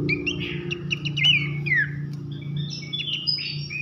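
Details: Horsfield's babbler (pelanduk semak) training recording in loud whistling style: scattered whistled notes, a bright rising-then-falling slur and a descending whistle, then softer high chirps, partly masked by a strong low droning hum.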